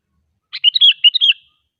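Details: Sooty-headed bulbul phrase intended to get other bulbuls singing; a rapid run of six or so mellow, slurred whistles with fluty, gurgling quality, lasting about one second, no other sounds.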